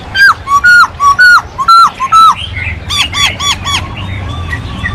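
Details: Masked laughingthrush singing vigorously: a run of loud, clear whistled notes, each slurred up then down and repeated about twice a second, followed by harsher, buzzier rasping phrases and softer chatter.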